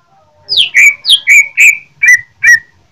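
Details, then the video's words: Greater green leafbird from Jember singing in fighting mood: seven loud, clear whistled notes, each sliding down steeply and ending in a short level tone, delivered in quick succession against a quiet background. "Cucak ijo jember tarung dengan ciri khas nya"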